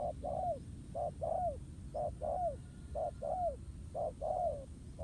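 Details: Wild spotted dove challenging a decoy bird at a ground trap; repeated low paired coos, a short note and then a longer one that slurs downward at its end, roughly once per second, with light background rumble.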